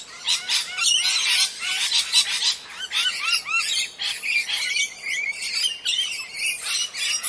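A flock of parrots chattering, with rapid overlapping harsh squawks and short arched screeches that come in dense bursts without pause.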